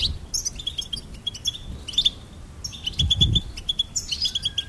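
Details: Goldfinch chirping in quick bursts of repeated high, clipped notes, each phrase about a second long, with faint low thumps underneath.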